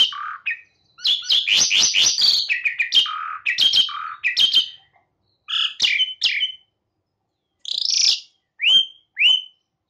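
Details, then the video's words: Jalak suren or Asian pied starling, a recording for luring or stimulating caged birds. Harsh chattering phrases mix with clear rising whistles, and the spaced notes grow sparser toward the end. "MASTERAN SUARA BURUNG JALAK SUREN GACOR | GRACUPICACONTRA | ASIAN PIED STARLING SOUNDS"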